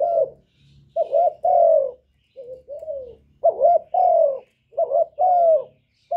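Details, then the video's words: Spotted dove coo played to encourage caged doves to sing; repeated low hooting phrases, short wavering notes leading into longer drawn-out falling coos, with a faint low hum beneath. "Cu gáy lớn tiếng, không tạp âm, giọng hay dễ mở, cu gáy kích bổi"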